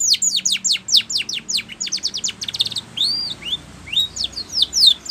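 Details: Rapid string of steep falling whistles from a Spanish Timbrado canary, then looser curving slurred notes; song meant for training canaries.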